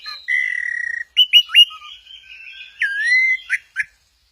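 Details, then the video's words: Orange-headed thrush at Kesamben, swaying 'goyang inul': a steady buzzy whistle, three quick rising upslurs, a level thin note, then a dipping whistled phrase and two short notes. "Burung Anis merah, lagi goyang inul"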